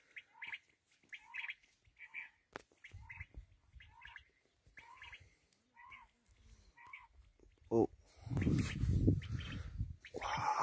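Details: Black francolin (kala teetar) giving a series of rasping, grating phrases, each with a dipping lower note, repeated almost every second. Loud rustling and rumbling noise takes over near the end.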